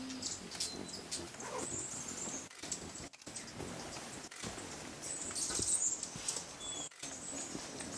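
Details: Velvet-purple coronet (Boissonneaua jardini) at Refugio Paz de las Aves, Ecuador, in May 2012, gives thin, very high chips in short scattered bursts over a steady hiss and soft patter.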